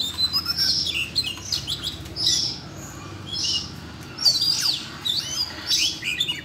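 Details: Caged Siberian rubythroat stirred into song by training playback: scratchy high warbles and downward-slurred whistles in short bursts separated by brief pauses, over a soft low background rumble.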